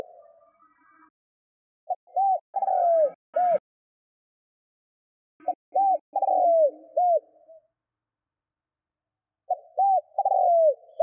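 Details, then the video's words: Spotted dove coo series aimed at drawing wild doves to call: three phrases of short note, arched hoots and a downward-rolling trill, spaced about four seconds apart, with faint clicks and brief higher noises between. "Tiếng CHIM CU GÙ GÁY KÍCH BỔI NHANH GÁY"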